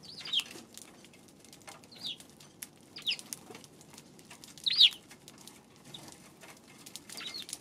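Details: Sparrow chirps recorded on 2 March: sharp, high, slurred notes spaced a second or two apart, the strongest near five seconds, with faint clicking and low hum beneath.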